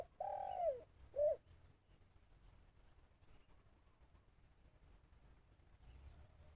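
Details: Caged decoy dove in Thailand cooing to draw in wild birds that went silent instead: one long hoarse coo sliding down, then a brief bright note, then faint background hum and quiet.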